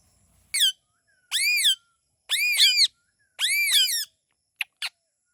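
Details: Pet parrot, described as a talking bird, giving four loud, harsh, arched screeches about one second apart, each sweeping up and then down in pitch, followed by two short sharp clicks, in a quiet room.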